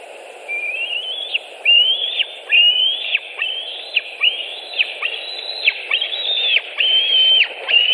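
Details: White-tailed eagle at a nest in Latvia on 26 July 2018, as one adult arrives carrying a bird and another approaches: a run of eight thin whistled notes, each rising and ending in a sharp downward slur, about one per second.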